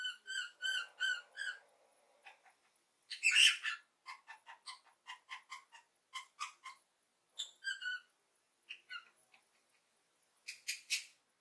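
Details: Lovebird chirping happily: a busy run of short, ringing, harmonic chirps and clicks, some in quick repeated pairs, with one louder harsh burst near the middle.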